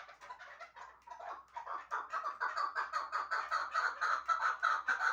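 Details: Chukar partridge from Shahritus kept for hunting, giving a steady run of hoarse clucking notes that grow louder and more regular, about two per second, building into a rhythmic chuk-chuk series.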